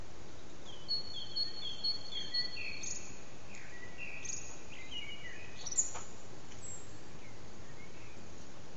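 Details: Common blackbird morning song from a backyard, short clear whistled notes and slurred phrases spread over several seconds, with a sharp click midway and a quiet steady noise floor.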